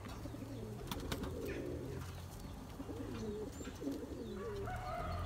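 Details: Low, throbbing coos from Turkish tumbler pigeons courting their mates to breed, running almost without pause, with a few faint higher chirps and clicks in the background.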